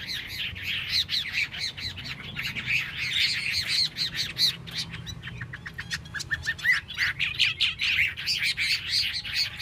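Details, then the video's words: Song of a Chinese hwamei: loud, rich whistled phrases giving way to a fast stuttering series of sharp, clipped notes, then a return to warbling, looping whistles. "Mi xoe canh tot cao cau"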